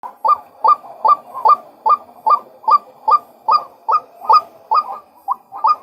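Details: Male White-breasted waterhen giving a steady series of short, sharp, upward-flicking notes, about two and a half per second, each one clipped and evenly spaced across the whole stretch, with a quiet background.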